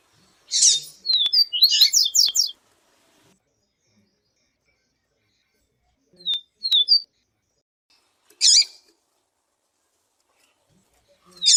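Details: Papa-capim viviti seedeater with female calls used to rouse a male: a harsh buzzy note followed by a quick series of sharp descending whistled notes, then short whistles and further rasping bursts separated by silent gaps.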